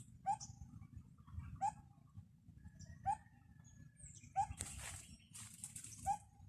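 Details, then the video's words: Bird perched high in a tree repeats a short, piercing upward-sliding call about every one and a half seconds, five times; a burst of rustling hiss intrudes near the end, over low background rumble. "CUTE LITTLE BIRD CALLING"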